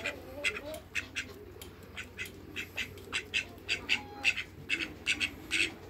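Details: Call ducks on a farm with a pair of Muscovy ducks nearby, quacking harshly about three times a second in an uneven series, with a brief whistle-like tone midway and a low hum throughout.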